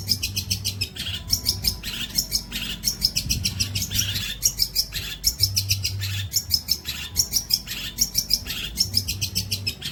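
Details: Long-tailed shrike song used as training material for songbirds: dense, rapid bursts of high chirps and buzzy notes in quick runs, with short pauses between phrases and a steady low hum underneath.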